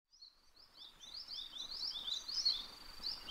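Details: Eastern spot-billed duck parent with ducklings, filmed 21 May 2023: faint, high, thin peeps repeated in quick, uneven succession, rising and falling, over a quiet outdoor background.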